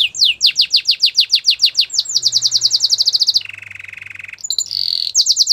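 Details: Belgian canary in song, delivering quick rolling trills of high sweeping notes that speed up, then a harsher buzzy stretch, followed by a sustained whistle and a return to fast trilling.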